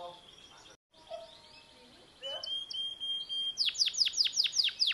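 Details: Pet canary singing, starting quietly with soft warbled notes and a thin sustained whistle, then breaking into a louder trill of sharp, high, downslurred notes repeated about six times a second.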